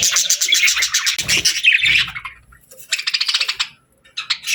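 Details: Pet budgies chirping softly: a fast, rattling stream of chirps repeated several times a second, a brief pause, then another quick burst and a final short chirp.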